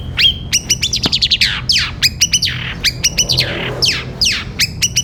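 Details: Caged long-tailed shrike gereja petir song for training other birds: sharp high clicks alternating with loud, descending whistled sweeps and quick chattering runs, lively and varied.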